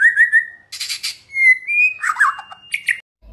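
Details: Lively morning song of a White-rumped shama, used as a lure to provoke rival shamas into answering. Clear rising whistles, then a harsh buzzy burst, a long pure whistled note, warbled phrases and short sharp chips.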